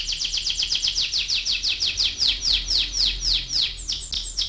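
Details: Canary rolling song meant to get young canaries singing: a steady stream of high, quick, downward-sweeping notes repeated several times a second, slowing slightly toward the end, over soft low background rumble.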